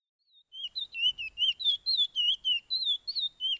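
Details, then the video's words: Softer passage of the Pijé-Pijé training song from Suriname by a Chestnut-bellied seed-finch: about a dozen clear, separate whistled notes, each slurring up or down, at a brisk, even pace. "BEST TRAINING SONG "PIJE-PIJE" Picolet = Curió = Chestnut-bellied Seed-finch = Oryzoborus angolensis"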